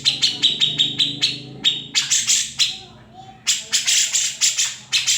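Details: Grey-cheeked bulbul song, described as a maestro for white-rumped shamas, recorded without editing. Quick, bright chattering notes come in two bursts separated by a short quiet gap.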